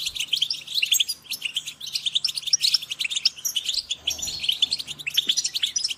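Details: European goldfinch group calls to spur birds on: rapid overlapping high twitters and clicky chirps, rising and falling in loudness, with a soft low hum in the background.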